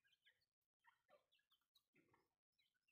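Grey francolin female giving quick, high chirping and clucking notes in short bursts, broken by brief silent cuts, with a faint background hiss.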